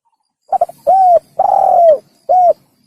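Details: One complete phrase from a spotted dove used to lure birds for hunting: a fluttering triple stutter, a round coo, a long drawn coo bending downward, and a short final coo, all soft and low.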